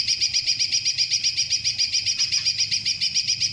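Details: Rapid, regular high-pitched bursts from a greater green leafbird, a long-shot song packed with kingfisher-like roll shots, notes pulsing almost four times per second without a pause.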